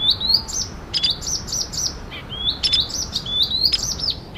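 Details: Female oriental magpie-robin sound meant to excite males: bright rising whistles repeated several times a second, interspersed with short sharp clicks, over a steady low background hiss.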